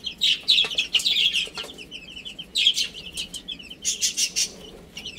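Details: Little chicks playing and eating peep in bright, high-pitched bursts: a busy cluster at the start, a quieter gap, then further rapid groups of chirps, with occasional crisp taps.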